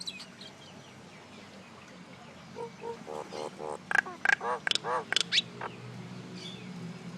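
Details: Common myna giving a string of throaty, gurgling notes mixed with sharp clicks, building to louder chattering in the middle, over a low rumbling background.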